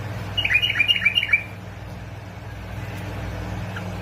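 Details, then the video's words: Short burst of quick, chirpy, whistled notes from a Basra and Fao bulbul, roughly seven in one second, then near silence with a low hum; used to get bulbuls singing. "مقطع تحفيز طيور البلابل على التغريد"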